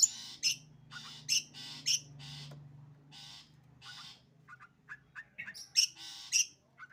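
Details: Long-tailed shrike giving sembur song, scratchy bursts with loud squeaky accents over a steady low hum, then a run of short clipped notes before more harsh phrases.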